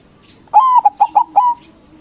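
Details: White zebra dove, a local bird, singing loudly to provoke rival doves into answering; a short phrase of four to five mellow, tonal coos, the first and last drawn out, the middle ones clipped and quick, over a quiet background.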